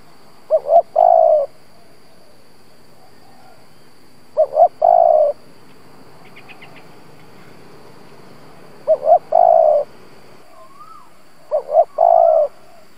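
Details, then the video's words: Decoy spotted dove giving the gù coo used to stir up wild doves. Four phrases about every four seconds, each two quick low notes then a drawn-out hoarse coo. A brief chirp and a wavering whistle are heard between. "Cu gáy mồi Gù siết bổi nhập tàn, chim cu gáy kích bổi nhanh nổi"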